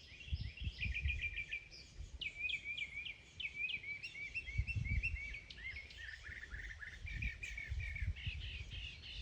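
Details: A mockingbird's mimicking song: a rich, ever-changing string of repeated chirps, whistles and sharp notes, each motif given several times before the next, over low rumbling background noise.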